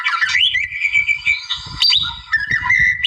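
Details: Rival-provoking song of a wild white-rumped shama: sweeping upward whistles, a sustained clear note, then sharp chips and rising slurs in quick succession.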